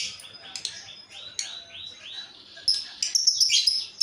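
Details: Female lovebird of a pair making a strange sound: rapid shrill high chirps and downward-sliding notes, about four a second, becoming dense squeaky chatter in the second half.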